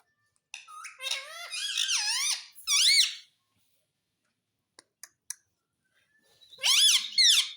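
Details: Indoor pet parrot speaking the words mummy and papa: a run of bright, squeaky harmonic syllables with bending pitch, several taps in a silent gap, then a final loud squeaky phrase.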